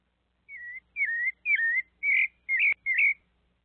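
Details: A sabiá thrush, with a little monkey visiting, utters six loud whistled phrases in a row, slurred and wavering, roughly two per second, with a brief click near the end.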